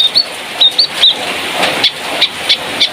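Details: Sooty-headed bulbul of the spotted 'trotol' form from Malalak, West Sumatra, used to teach birds its song; sparse clear whistled notes, short and upslurred, spaced about a third of a second apart over a constant hiss.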